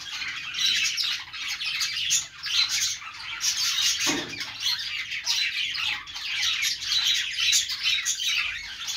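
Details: Budgerigars chirping without a break, a thick layer of high squeaky warbles and squawks, with one short lower thump about halfway through.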